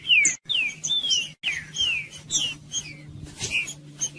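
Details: Green-winged saltator singing the Judas style to warm up a cold bird. Strong falling whistled notes come in quick bursts between short silences, over a faint low hum, with a scratchy burst near the end.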